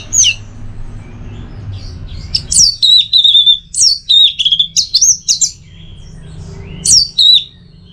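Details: Captive orange-headed thrush in Bali sings varied high, whistled phrases with quick sweeps and trills, delivered in bursts with brief pauses; faint low room hum underneath.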